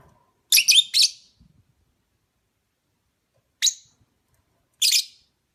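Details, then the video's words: Lovebird, opaline parblue colour variety, giving short sharp scratchy chirps: a quick cluster of three near the start, then single bursts after long silences, in an otherwise quiet setting. "Lovebird Singing & Chirping sounds"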